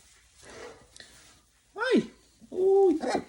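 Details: A Jubilee hybrid macaw at a sanctuary, prompted to say hello, gives two hoarse, drawn-out, word-like calls about half a second apart, after soft human speech in a small room.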